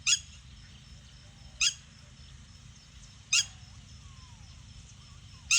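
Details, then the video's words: Red-wattled lapwing giving four sharp, high, piercing single notes, each about 1.6 seconds apart, over a steady low rural hum with faint soft whistles between calls. "Original sound tatihari"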